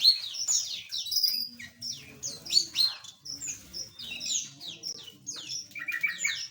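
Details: Many small aviary birds chirping together: dense, overlapping high tweets and short downward-sweeping notes in quick bursts, with a faint low hum beneath.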